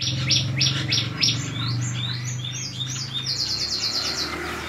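White-shouldered starling song: quick run of high, sliding whistles and chirps, ending in a rapid repeated trill, over a low steady hum.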